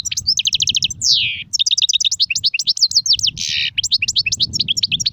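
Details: European goldfinch song in the styles called sarfati, gzrati and tsersir: a fast, continuous run of bright, high twittering notes, quick repeated trills, sweeping downslurred notes and a buzzy burst near the middle, with a soft low rumble underneath.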